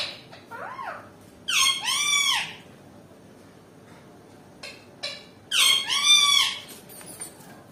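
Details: Indian ringneck parakeet calling in anger, apparently fighting: loud, arched, harmonic-rich screeches in two clusters separated by a few seconds of near silence, with a brief harsh note between them.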